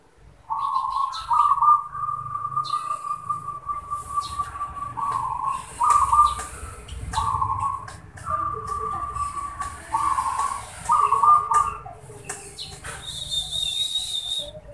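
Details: Zebra dove cooing, with a series of short rolling, purring coos alternating with longer sustained trills. The notes come in uneven groups across the recording, and a thin high whistle enters near the end.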